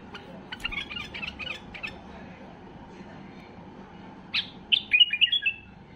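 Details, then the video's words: A white-eared bulbul at peak excitement, singing to make other bulbuls sing; faint chirping early, then a loud sequence of sharp notes and short whistled slurs near the end. "اقوى تغريد بلبل بصراوي لفتح البلابل القافلة"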